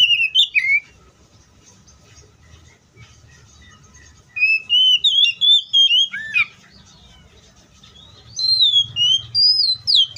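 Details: Wild Oriental magpie-robin song in three bursts of rich whistled notes, sweeping up and down between phrases, separated by pauses of a few seconds; faint low background rumble.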